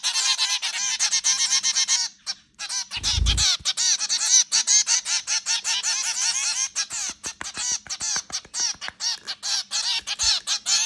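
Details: A flock of zebra finches feeding indoors at home, calling in a continuous stream of nasal, trumpet-like beeps, briefly interrupted by a low knock, then resuming in quick irregular bursts.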